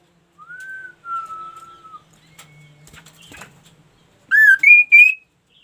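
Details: Active singing by an ashy tailorbird: two long, clear whistles, the first arched and the second level and falling slightly, then a pause and three quick, bright stepped notes climbing in pitch.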